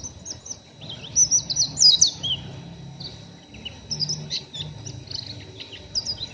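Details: Oriental white-eye, a young bird still in training, kept in a group, giving rough ngeriwik chattering: rapid, high, scratchy twitters and squeaky slurred notes in uneven bursts, louder in the middle, with a faint low hum beneath.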